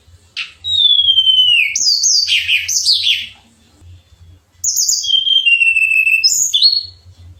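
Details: Pied fantail singing for contest training: a long descending whistle followed by quick rising and falling chirps, a short pause, then another falling whistled phrase with sharp high notes, over a faint low hum.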